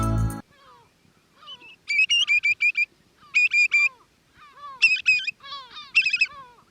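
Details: A Eurasian Whimbrel, a bird of Sri Lanka's beaches and coastal marshes, gives quick runs of four or five clear, high whistled notes with softer slurred, falling whistles between the runs. A brief burst of music opens it.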